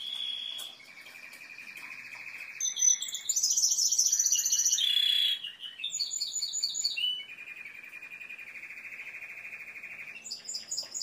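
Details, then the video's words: Long Timbrado canary song passage mixing even mid-pitched rolling trills, bright high whistled and rattled phrases, a short pause, then another steady rolling trill and high chirps. "تسجيل طائر كناري تمبرادو#timbrado_canary_song"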